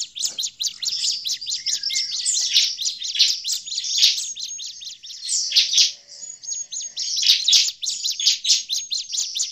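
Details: Bar-winged prinia calling excitedly, used as a lure for prinias in forest. Crowded, high-pitched chirping and twittering continue without a break, with louder bursts near the middle and toward the end.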